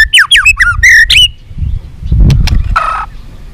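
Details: White-rumped shama giving a long song meant to provoke fighting, with tail-flicking: a quick burst of rich, slurred whistles dropping in pitch for about a second, then sharp clicks and one short harsh buzzy note.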